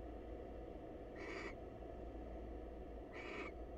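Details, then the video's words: Female barn owl, wild, greeting a male inside a monitored nest box; two short hoarse hissing screeches about two seconds apart, with low mechanical hum throughout. "Female Barn Owl Visits Male Counterpart To Say Hello"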